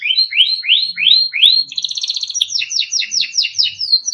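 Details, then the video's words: A Timbrado canary sings a run of five rising slurred whistles, then a rapid metallic trill and a series of quick descending chirps, all high-pitched and clean. "Timbrado canary singing beautiful melodic songs"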